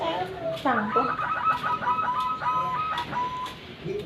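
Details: Zebra dove singing in the morning among other doves: a rapid staccato series of short, bright, repeated notes running for about three seconds, slightly falling, with human voices faintly nearby.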